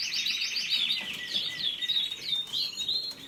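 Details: Short burst of canary song: quick repeated up-sweeping chirps, then thin whistled notes and descending slurs over a trilling background.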